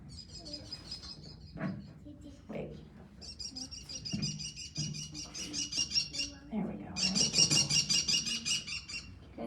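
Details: A captive female American kestrel, unable to be released after breaking two wrist bones as a fledgling, gives rapid bursts of shrill, high klee-klee-klee notes, several per second, as a person talks over them.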